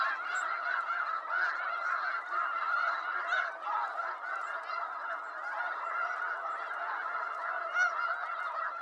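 A large flock of snow geese calls nonstop: a dense, overlapping chorus of high, nasal, barking honks with no pause for the whole stretch.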